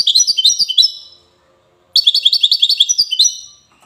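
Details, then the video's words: European goldfinch in Safi, Morocco, sings two widani-style phrases of fast, bright, twittering notes, about a second and then a second and a half long, with a short silence between them. "حسون ويداني"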